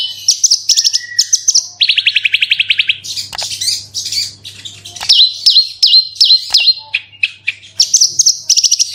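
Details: Energetic branjangan lure song in 'super roll tembak' style: rapid high whistled phrases, a dense rattling trill, then a row of crisp dipping notes and more quick whistles, with a low background hum throughout.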